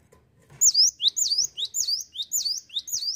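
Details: After a brief quiet start, a cinereous tit launches into a fast series of piercing, sharply down-then-up sweeping notes, roughly four per second, 'ngetroll' style.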